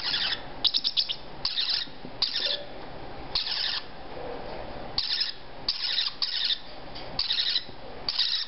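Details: Young captive parrotlets aged three to four weeks, all females, bobbing their heads: a run of scratchy, hissing rasps, some quickly stuttered, coming about once a second over indoor hum.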